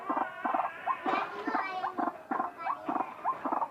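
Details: White-breasted waterhen calling strangely: paired croaking notes alternating with brief rising nasal slurs, repeated steadily.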